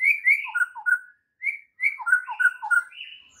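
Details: White-rumped shama singing a morning training song intended to set other shamas singing; mellow fluting whistles alternate with higher slurred notes in quick varied phrases, with two brief silent gaps.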